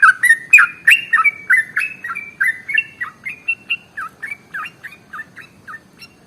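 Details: Sooty-headed bulbul singing a long phrase meant to prompt other birds to sing: quick liquid upslurred notes in a fast run, loud at first and gradually fading toward the end.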